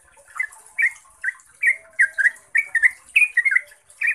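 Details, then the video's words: Yellow-vented bulbul (Pycnonotus goiavier) giving a long, clear run of short, bubbly, liquid phrases, about two or three per second, in a chattering stream with a faint hiss behind, used as a lure song for other bulbuls. "Suara Trucukan Ropel Panjang Jernih"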